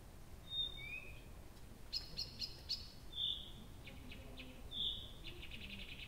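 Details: Nightingale in full night song at Abramtsevo, early June 2021; pure flat whistles alternate with rapid knocking clicks and a dry rattling series, loud notes spaced about every one and a half seconds.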